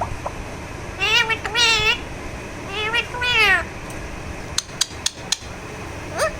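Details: Pet Alexandrine parakeet being massaged gives three drawn-out, wavering nasal squawks, followed by a few sharp clicks and taps.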